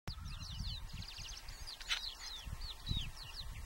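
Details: Red-throated pipit at Mereto di Tomba (UD), Italy, on 27 April 2014: thin, high chirps and short slurred notes come in quick overlapping bursts over a steady low rumble of wind.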